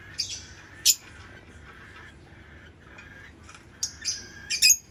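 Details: Lovebird giving sharp, high chirps and a few harsh squawk bursts, spaced irregularly over a faint steady hum, with quieter chatter between the louder notes.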